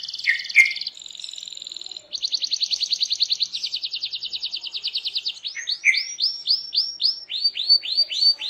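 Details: Canary song, a loud gacor singer played to prompt other canaries to respond and sing: high buzzy trills, then rapid repeated pulses, then a run of downward-sweeping whistled notes repeated about twice a second.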